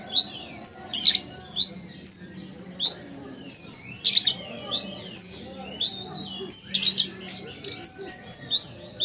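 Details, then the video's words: Sumatran ruby-cheeked sunbird kept as a cage bird, singing continuously: rapid high whistled notes, rising slurs and occasional crackly buzzy bursts, repeated in clusters over nine seconds, low background hum throughout. "Konin Gacor Kolibri Ninja Asli Sumatera"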